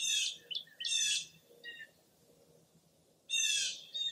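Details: Harsh, loud, buzzy calls from a wild bird, a pair of bursts, a short pause, then another, recorded on a foggy early April morning at Mirror Lake State Park, Baraboo, Wisconsin.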